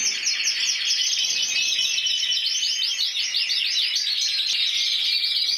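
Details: Spanish champion of 2014, an intense yellow canary judged individually at 94 points, delivers rapid repeated trills: chains of quick descending notes rolling in fast series, unbroken and bright.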